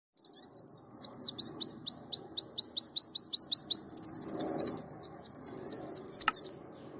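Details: Sunbird song used as a tutor recording for training songbirds, styled after a canary: rapid series of high, sharply rising and falling whistled notes, a fast trill near the middle, then more repeated upswept notes.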